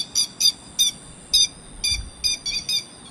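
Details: Grey-headed lapwing calls used as a lure for trapping birds: sharp, high, ringing notes given singly or in quick pairs, eight in about three seconds, with a steady faint high tone behind.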